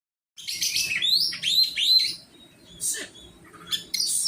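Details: Oriental magpie-robin singing during song training: a rapid run of varied whistled notes, rising and falling slurs and sharp chirps, then a brief lull before buzzy high trills resume.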